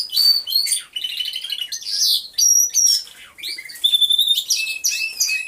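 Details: Aviary full of singing canaries recorded by a hidden camera, with a dense medley of shrill whistles, sweeping notes and fast chattering trills overlapping without a break.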